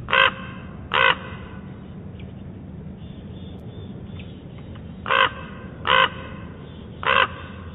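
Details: A Common raven at Big Bear Lake, 4 October 2017, first thought to be a woodpecker, gives five harsh, hoarse calls: a pair, a long pause, then three more about a second apart, over a low steady rumble.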